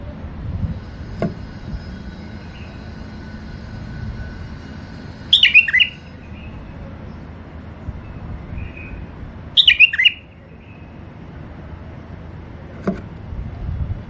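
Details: ['A caged pair of tame bulbuls, male and female, gives two short, bright, slurred whistled phrases about four seconds apart. Soft clicks and a low background hum surround them.']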